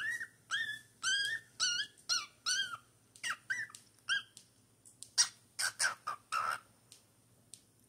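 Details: Singing four-month-old cockatiel: a quick run of short, downward-bending whistles roughly every half second gives way to harsher, noisier, broadband calls near the end, with a steady low hum in the background.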